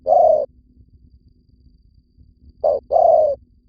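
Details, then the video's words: Vietnamese spotted dove lure call: one long hollow coo, two seconds of near silence, then a short note followed by another drawn-out coo. "tiếng chim cu gáy mồi"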